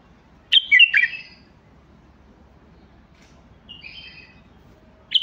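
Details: Bulbul giving a quick cluster of bright chirped notes, then a softer whistled phrase after a pause, with another sharp note starting at the close; steady low hum behind.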